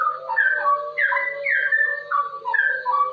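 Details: Straw-headed bulbul singing in the rolling 'ropel' style, used as a master recording to train other bulbuls and prompt them to sing: rich, loud whistled phrases rising and falling, some notes gliding down, over a steady low hum.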